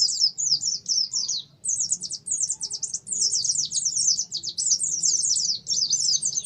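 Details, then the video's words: Oriental white-eye song used as a lure to stimulate singing: a continuous run of high, rapid, buzzy twittering phrases in quick downward-slurred notes, with a brief pause near 1.6 seconds, over a faint low hum. "Terapi suara pleci ngalas , pancingan pleci ngalas awass nyaut"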